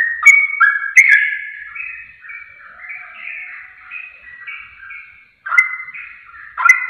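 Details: Sooty-headed bulbul lure song for drawing quick replies. Loud bubbly notes open into softer, rambling warbled phrases, followed by a brief gap and two more sharp, liquid notes.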